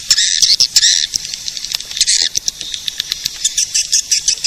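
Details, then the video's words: Edible-nest swiftlet call used to lure swiftlets, a shrill chirping burst, then quick clicking pulses, roughly three a second. "Suara pemanggil burung walet"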